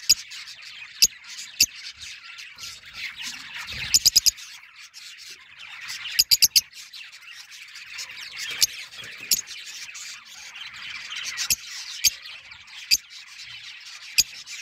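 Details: Lovebirds in San Luis Potosí, Mexico, chatter without pause, a dense wash of shrill, high squeaks and chirps from several birds, broken by sharp clicks and taps.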